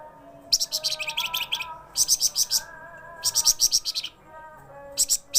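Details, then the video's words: Flamboyan songbird, reported as singing actively day and night, repeats fast phrases of high, sharp chirps roughly once a second, separated by brief pauses, with a low steady tone in the background. "FLAMBOYAN burung flamboyan, wergan jawa gacos siang malam."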